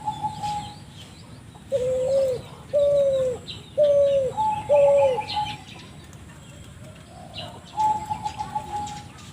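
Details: Spotted dove calling strangely as lure sound: a flat trilled note, four short, descending coos in quick succession, then more long, level trills after a gap, with light background chirping.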